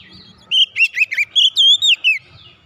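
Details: Brief oriental magpie-robin phrase, played to get a silent bird singing again: a choppy run of eight sweet, sliding whistles lasting under two seconds, over faint low background noise.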